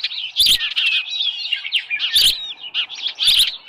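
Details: At a Dunrovin Ranch osprey nest on an evening in June 2018, with a headless fish present, Osprey calls continuously in high, wavering chirps and squeals, with three brief rustling bursts.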